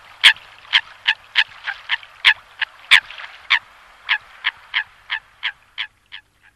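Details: Eurasian coot calling, described as the sound that best attracts birds: a steady run of short nasal, harsh notes repeated about three times a second, fading slightly toward the end.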